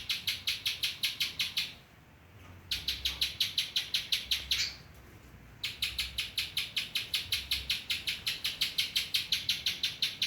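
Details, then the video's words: Quick series of shrill chips from a spiderhunter singing ciblek-filled song, about six per second, broken by two short silent gaps, one with a brief rising squeak. "burung pinjantung isian ciblek"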